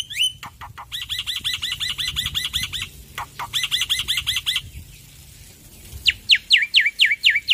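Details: Loud-voiced male black-winged myna in full song: long rapid trains of identical looping whistles, broken by sharp clicks, then a pause and a run of descending sweeping whistles at the end.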